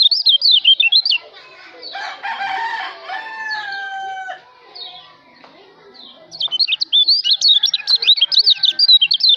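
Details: Kecial white-eye song from Lombok for tutoring songbirds: a loud, rapid high warble opens the recording, and a long stretch of quick, sweeping whistled notes fills the last three seconds. A rooster-like crowing call and harmonic calls sound between them.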